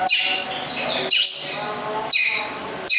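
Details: Long-tailed shrike, local cendet from Gedong Songo, Central Java, giving sharp, grating calls about once a second, each with a slurred, buzzy tail.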